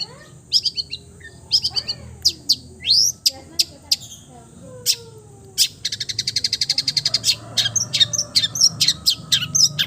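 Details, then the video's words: Long-tailed shrike, a cendet, in a varied mimicking song: scattered sharp chirps and slurred notes, then a long fast rattling trill and a string of quick varied twitters; faint low whistles in the background. "MERDU SUARANYA, BISA MENIRUKAN SEGALA SUARA JENIS BURUNG | CENDET FULL MATERI"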